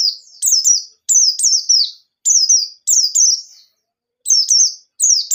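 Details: Wild-style white-eye singing loudly as a lure for untrained birds: rapid groups of two or three high, piercing whistles, each sliding downward, repeated with short gaps.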